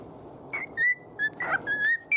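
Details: Pet cockatiel contentedly whistling the children's song "Hato Poppo" in a heavily rearranged form: clear, pure whistled notes held briefly in a short phrase, separated by quiet gaps, in a quiet indoor setting.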